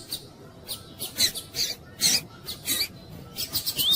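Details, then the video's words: Female Double-collared seedeater (coleiro tui-tui) calling to excite and warm up the male: short, high, buzzy squeaky bursts repeated at irregular intervals, some with brief thin whistled inflections, over a quiet background. "COLEIRO TUÍ TUÍ FIBRA COM FÊMEA CHAMANDO PARA ESQUENTAR COLEIRO TUI TUI"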